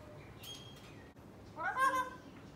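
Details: A pet black-capped lory (Lorius lory) mimics a dog, giving one short, harsh, dog-like bark with a strong harmonic ring after two faint higher tones, apparently trying to "talk" to its toy dog; mimicked bark.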